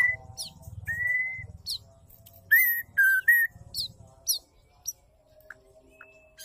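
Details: Female white-rumped shama call, used to provoke males into singing: clear level whistles near the same pitch, each about half a second, mixed with sharp upswept notes and short bursts, over a low rumbling hum.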